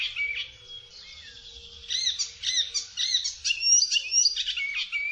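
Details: Soft scattered notes from an Icterine warbler give way to a loud run of repeated arched chirps and piercing whistles, delivered rapidly and varied in tone.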